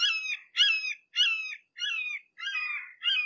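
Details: Red-shouldered hawk, approached closely, calling steadily: six harsh, nasal, slightly down-slurred kee-ah notes in just over three seconds, about two per second, with brief gaps and no other sounds.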